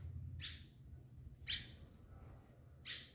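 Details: At a house it returns to every year, a barn swallow pair building a clay mud nest gives three short, scratchy chirps, each about a second or more apart, high-pitched and breathy, over a steady low hum.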